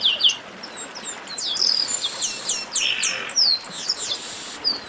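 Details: Several chestnut-capped blackbirds calling together in a 'baderna' ruckus, a steady stream of high downslurred whistles and short chips overlapping one another, with a buzzy rasping note midway.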